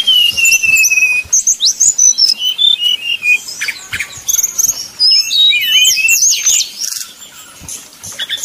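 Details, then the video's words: Simulated contest fight of Sumatran red-crowned leafbirds, used as mental training: a long descending whistled trill opens, then quick varied chirps, slurred whistles and harsh bursts in broken phrases. "SIMULASI SUARA SRDC TARUNG DI GANTANGAN"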